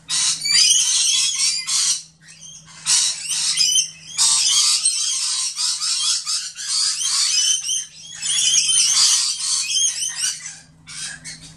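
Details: Excited flock of fifty or more Rainbow lorikeets gathered at a feeder and perching on one branch, giving shrill overlapping screeches and chattering in long loud bursts with brief gaps, over a constant faint low hum.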